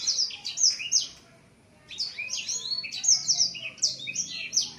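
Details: Caged young male blacksang, seven months old with voice not yet broken, spreads its wings at the sight of a female; high sweeping chirps and slurred whistles, a brief pause, then a denser run of notes.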